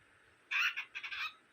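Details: Pet cockatiel arguing with its owner, producing two short bursts of harsh, scratchy chatter, the second broken into several rapid syllables.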